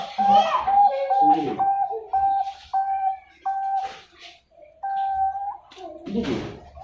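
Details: Zebra dove singing in the Indonesian rhythm style, a farm-bred bird hatched 14 September 2021 in Pasuruan, East Java, Indonesia; clear sustained mid-pitched cooing tones repeated in short phrases, mixed with knocks and rustling indoors.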